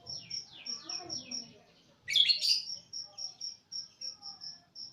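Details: East Java greater green leafbird giving a brief, intense burst of sharp, scratchy high notes in cililin-style phrasing, set among quieter falling whistles and a steady sequence of high repeated beeps.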